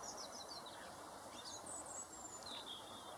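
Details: Robin giving a run of thin, high chirps and short slurred whistles, first a quick descending series and then a longer drawn-out whistle, over a steady broadband hiss of background noise.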